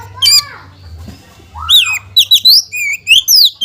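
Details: Provoking song of a white-rumped shama, meant to set other shamas singing: bursts of loud, clear whistles and sharp slurred notes in rapid varied phrases after a quiet gap, low hum beneath.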